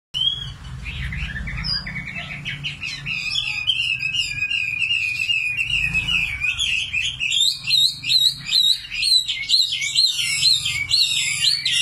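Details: Common nightingale singing: a steady whistled note gives way to rapid, varied trills and buzzy repeated phrases high in pitch, growing louder and denser toward the end, with a low hum underneath.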